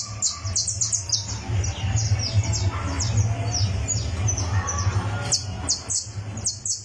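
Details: On a tournament perch, a criollo canary tunes its song with rapid high chirps and short trilled runs at the start and again near the end, a quieter stretch between, and a persistent low hum behind.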